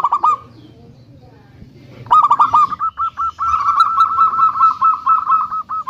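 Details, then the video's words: Big-voiced local zebra dove used as a lure to make other doves call. A brief note, then a quiet gap, then a rapid, rolling string of ringing notes that runs into a continuous trill. "Perkutut Lokal Suara Besar - Biang Pancingan"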